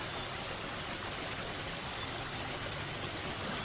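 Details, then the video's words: Master recording of a sunbird called kolibri ninja, meant for songbird training: a steady stream of high, needle-thin notes grouped in quick bursts, about four a second. "masteran mewah full isian kolibri ninja"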